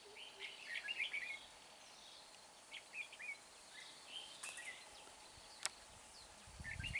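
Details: Red-whiskered bulbul used as a decoy bird for trapping at Chùa Hương: short, bright warbled phrases in scattered bursts, with several chirps over a steady background hiss and one sharp click.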